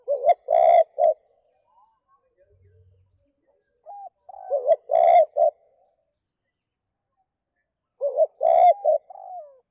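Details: Spotted dove in the two-phrase (2 cốt) style for stirring wild doves: three throaty triple-coo phrases about four seconds apart, separated by softer sliding notes.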